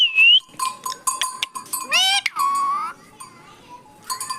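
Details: Caged pet parrot talking: a jumble of whistled, squeaky and voice-like syllables with a sliding rising call and a long drawn note, followed by a person saying "mithu" repeatedly.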